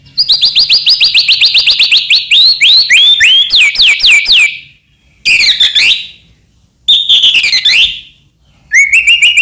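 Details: Loud white-rumped shama song, used to goad other shamas into singing: long rapid series of sweeping whistled notes for four seconds, then harsh chattering bursts and a rising whistled phrase.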